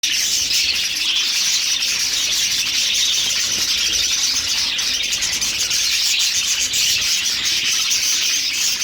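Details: A crowded flock of home-bred budgerigars keeps up a constant high, scratchy chatter of chirps and warbles.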